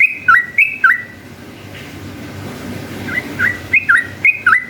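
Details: Vocal yellow-vented bulbul pouring out ropel panjang song to goad other bulbuls into replying. Loud curled whistled pairs open, a quiet pause follows, then a fresh burst of rapid bubbly note pairs.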